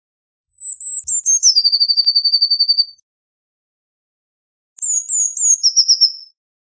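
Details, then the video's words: Eurasian blue tit song: two phrases, each opening with high thin whistled notes that step downward into a fast, even trill of about a dozen repeated notes, separated by a pause of nearly two seconds; no other sounds. "Blue Tit Singing! Blue Tit Calling! Blue Tit Sound! - Herrerillo Común Canto - Cyanistes Caeruleus"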